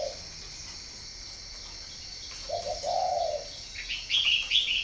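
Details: Spotted dove from a breeding farm in Ba Vì, northern Vietnam: one low, soft cooing phrase of a few notes in mid-clip, followed by higher chirps from other small birds near the end, over steady background hiss.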